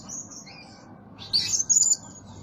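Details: Blue-crowned hanging parrot used as a lure bird, said to call diligently day and night: thin, very high shrill notes, then two brief sharp bursts of squeaky chirping over a faint low rumble.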